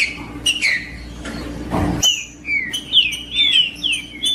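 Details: Green-winged saltator song used to warm up and train another bird to sing. Whistled slurred notes open the clip, a brief rushing noise burst follows, then a run of rising-and-falling whistles resumes.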